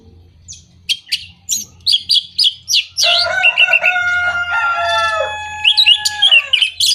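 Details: Orange-headed thrush singing, played to encourage moulting, non-singing birds or those out of breeding condition. Rapid run of sharp chirps and clipped notes, followed by a sustained, rich, harmonic tone overlaid with busy twittering.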